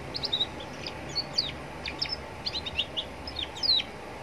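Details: A young canary sings in roadside surroundings, used to draw answering song from other canaries. Crisp, high chirps and quick whistled slides come in rapid, varied phrases, with low background noise.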